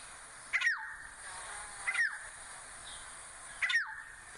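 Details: Shortened playback of a Black-headed Oriole's liquid, bubbly call: three crisp descending whistles roughly every one and a half seconds, each with a quick slurred ending, against faint hiss.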